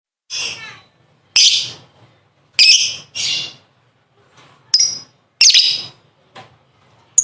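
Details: Lovebird ngekek panjang, the long chatter used as a master recording for training contest birds: short, harsh, buzzy high bursts, some under a second, separated by brief silences, with a faint low hum underneath.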